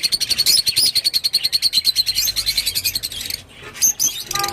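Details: Rosy-faced lovebird repeating a bright, high chirp quickly and rhythmically, about three to four a second, then breaking into mixed squeaky notes.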